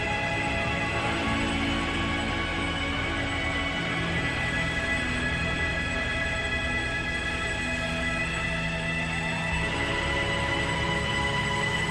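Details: Dark, sustained soundtrack music with droning tones and layered harmonics fills the whole stretch, with no animal voice heard.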